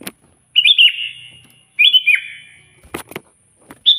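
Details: Sooty-headed bulbul song aimed at a rival: two warbled whistled phrases with falling ends, followed by a few sharp clicks and the start of another phrase.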